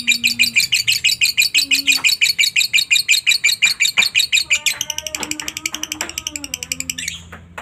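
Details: Lovebird giving a long ngekek chatter used as a lure to make other lovebirds sing: fast, very regular high buzzy chips about three per second, shifting midway into thinner rapid notes, with faint low hum.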